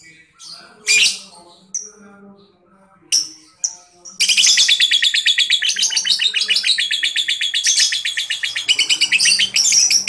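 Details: Lovebird song used as a lure to get young lovebirds under five months to answer. A few scattered sharp chirps come first, then a fast, continuous chattering trill of rapidly repeated buzzy notes runs for about six seconds.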